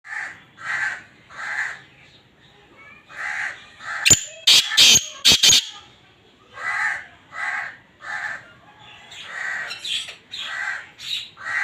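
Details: Black francolin (kala teetar) giving a breeding call: a loud, harsh burst of about five grating, rasping notes packed into just over a second, set among softer, repeated hoarse notes from other callers before and after.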